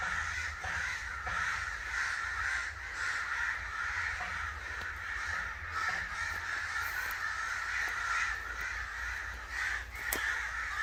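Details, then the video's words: Crows calling angrily, their rough caws overlapping into a dense, continuous chorus with occasional sharp ticks. "Crow Sounds | Angry Crow Sounds | Crow call"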